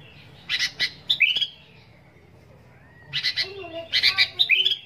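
A sooty-headed bulbul gives two bursts of harsh, chattering notes mixed with short, bright upslurred whistles, separated by a pause of about a second and a half.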